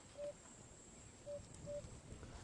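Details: African cuckoo (Cuculus gularis) heard on a sunrise safari drive on 15 October 2016 while elephants crossed: three soft, low, hollow hoots, evenly pitched but unevenly spaced over two seconds, against a steady low rumble and faint outdoor hiss.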